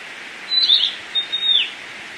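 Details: Wild tledekan flycatcher in Indonesia in full song, giving two high thin whistled phrases with slight downward slurs at the end, over constant hiss.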